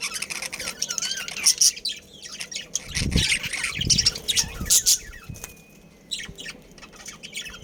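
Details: Budgerigars in a caged breeding colony in Karachi chattering continuously with scratchy high chirps and squawks, some brief whistled notes, and low knocks and flapping-like thumps around the middle.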